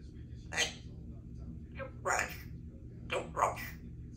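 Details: A 3-year-old female Congo African grey parrot talking voices four short, word-like bursts with a squawky, speech-like timbre, spaced over about three seconds against a low steady hum.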